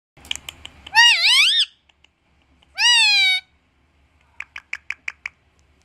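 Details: Parrot imitating speech, saying "Maa": two long, drawn-out wavering vowel calls with a dipping then rising tone, followed by a quick series of short clicking chirps.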